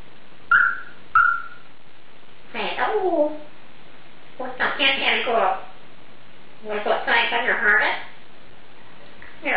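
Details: A female Congo African grey parrot with a vocabulary of over 350 words gives two quick whistles, then several phrases of imitated human speech in separated bursts, recorded indoors.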